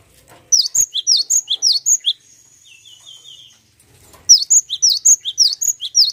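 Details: Cinereous tit song used as a lure recording, in two bursts of quick, high, sharp notes, almost two per second, with a thin level whistle and a short buzzy trill between the bursts.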